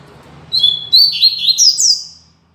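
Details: {'caption': 'Classic Tui Tui Zel Zel song of the Double-collared seedeater, used to tutor young birds: a quick run of clear whistles followed by buzzy slurs and rising sweeps. A faint low hum sits beneath.'}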